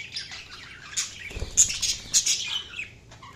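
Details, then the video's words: Several budgies chattering in a dense, scratchy warble of high chirps and quick squeaks, with a soft thump partway through. "Budgies Chirping sound"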